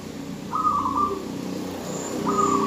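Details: Female zebra dove calling for a male. Two short phrases of quick, trilled coos sit on a steady pitch, separated by a pause, over a low background hum.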